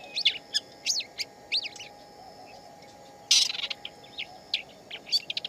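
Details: Shama heard singing in the wild, giving crisp, high, separated whistles and quick slurred notes, broken by a short, noisy, buzzy burst midway, then more spaced notes, over low background hum.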